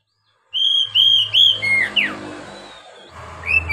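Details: Oriental magpie-robin song used to coach beginner captive birds: three clean level whistles, a lower note and a steep falling slur, then a faint closing whistle, with a low hum underneath.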